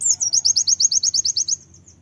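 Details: Song of a brown-throated sunbird, fighter type, played to make birds sing: a quick run of roughly thirteen shrill, slurred notes at steady pace, fading into a few faint high ticks.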